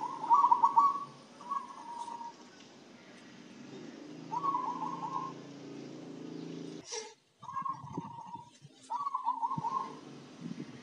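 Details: Zebra dove singing, reportedly livelier after herbal spice-mix feed; several trilled, rippling coo phrases at a steady pitch come and go, with a sharp click and a short dropout midway.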